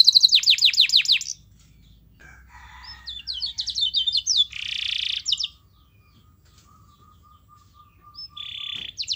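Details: Canary singing as master song for training others to sing: short bursts of descending sweeps and rapid trills separated by pauses, a harsh buzzy burst, and a faint steady tone running through the quieter gaps.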